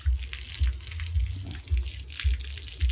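Running tap water hisses throughout, over low thudding beats about every half second and faint murmured voices, with no animal call heard.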